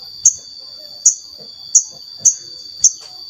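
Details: Crimson sunbird (sogon) calling as a lure to spur other sogon to sing: five crisp, very high single chips spaced about half a second to a second apart, over a constant faint high hum.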